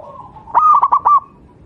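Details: Javanese zebra dove, a local wild bird, gives one short song phrase, a soft low coo followed by four rapid fluttering notes, recorded as a tutor song for training doves.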